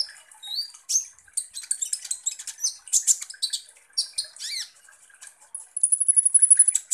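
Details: A sunbird known as kolibri ninja, played to provoke konin birds: rapid jumble of piercing high chips and slurred whistles, ending in a fast trilled series of very high repeated notes.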